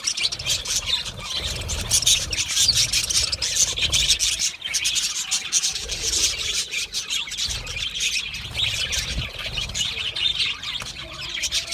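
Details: Steady flock chatter of Australian budgies: rapid, rasping high chirps and warbled notes running without a break, dense and overlapping, with faint low rumbling underneath.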